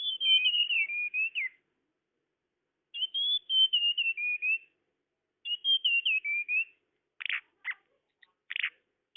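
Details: Tledekan lure sound: three clear whistled phrases, each a run of slightly descending gliding notes, about every two and a half seconds, followed by several short rasping chips.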